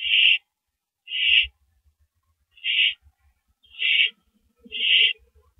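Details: Male owl at the nest at night after bringing prey, April 6 2012: five loud raspy hissing screeches, each about a third of a second, spaced roughly a second apart.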